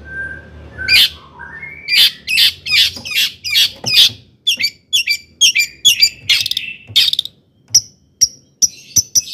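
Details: Long-tailed shrike in lively full song meant to provoke other shrikes; fast run of harsh scratchy chatter notes, then thinner high squeaks and short whistles toward the end.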